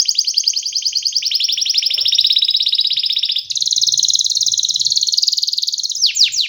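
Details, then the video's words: Canary in song: a long, rapid buzzing trill, then a brief pause and a second, higher rolling trill, ending with two sharp descending whistles. "جميع طيور الكناري سوف تغني بعد الاستماع إليها Canary singing"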